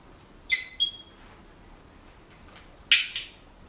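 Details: Pet Senegal parrot kept indoors: two short, sharp, bright chirps close together, then a pause and another pair of harsher squawky notes, in a quiet room.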